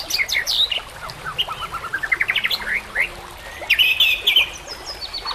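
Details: Training recording of White-rumped shama song: sharp high notes, a run of quick rising chirps, then a burst of bright stuttered whistles amid faint background noise.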